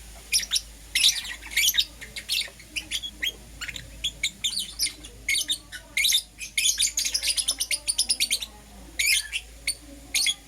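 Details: In the morning, Euwing green opaline and lutino lovebirds chatter busily, dense strings of rapid shrill chirps and scratchy squawks, at times nearly continuous, with brief breaks.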